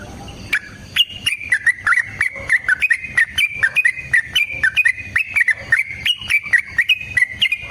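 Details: Yellow-vented bulbul in long fighting song meant to prompt other bulbuls to sing, a steady series of short bubbly whistled notes with rising flicks, delivered about twice per second without pause.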